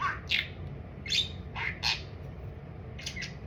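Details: Talkative indoor pet budgerigar, described as speaking only of food, producing a few clipped, rasping word-like squawks in quick bursts separated by short pauses, over faint room hum.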